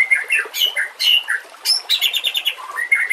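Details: White-rumped shama singing for a master track to train other shamas, mixed with nature sounds and trickling water: quick high chirps, short whistled notes and rapid ticking phrases delivered in dense bursts.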